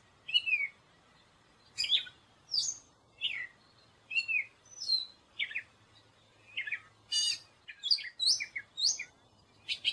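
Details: Gray catbird song of repeated short phrases, downslurred squeaks, scratchy notes and rapid chip clusters, roughly two per second, with a faint low hum underneath.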